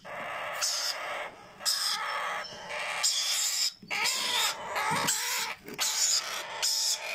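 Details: Sun conure and yellow ringneck parakeet chicks being hand-fed give harsh, raspy feeding calls in repeated bursts, each lasting under a second.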